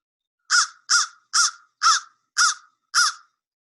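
An American Crow gives six harsh, hoarse caws in steady succession, about two per second, each dropping slightly at the end; nothing else is heard.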